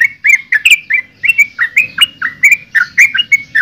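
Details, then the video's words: Clear, evenly spaced liquid notes from a yellow-vented bulbul, about three per second, each a short slurred chirp, over quiet background. "Suara Burung Trucukan"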